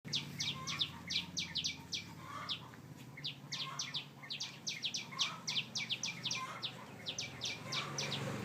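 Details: Birds singing, a dense run of short, sharp chirps sweeping down from high pitch, repeated rapidly about four times a second with brief pauses, over a low steady hum.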